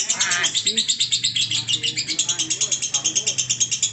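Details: High, fast, buzzing trill of a lovebird in long-duration ngekek, steady throughout, while a man speaks beneath it.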